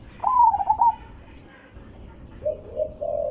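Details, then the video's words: Zebra dove lure call meant to provoke replies from other zebra doves: one rippling, slightly descending trilled coo, a pause, then lower rolling coo notes toward the end. "Suara Besar Merdu ampuh untuk pancingan burung perkutut"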